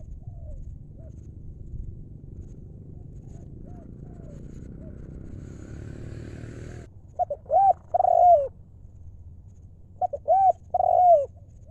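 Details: Spotted dove decoy bird calling to lure wild doves: faint low coos under rumbling background for several seconds, then after a sudden change clear, loud, mellow hooting phrases of short notes ending in a long falling coo.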